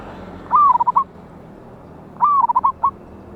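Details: Loud wild local zebra dove, recorded 11/8/24 as a lure recording. Two phrases, each opening with a clear, slightly falling whistled coo and breaking into a rapid stutter of short coos. Faint hiss behind.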